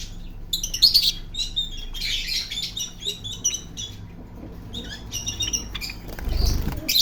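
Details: Parrot giving a string of short, harsh chirps and squawks, bunched in bursts with brief pauses between them, over a low steady hum and a thump near the end.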